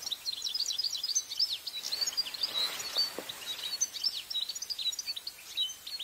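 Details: A wild European goldfinch in Italy, recorded with a parabolic microphone, sings a fast, tinkling twitter of high, liquid notes and short trills, running on without pause over faint outdoor hiss.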